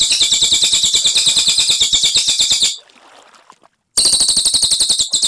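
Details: Cililin singing a fast, buzzy high trill for under three seconds. A quiet pause of about a second follows, then the same clear rolling song resumes.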